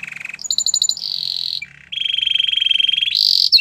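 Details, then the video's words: Canary song of rolling trills at several pitches, a short low note, then a long steady buzzy roll ending in a high rapid trill. "Canary bird sounds at it best"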